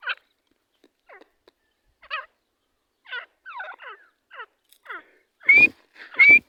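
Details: Partridge pair calling: scattered short chirped notes with downward slurs, building to two louder rising whistled calls near the end, against a silent background.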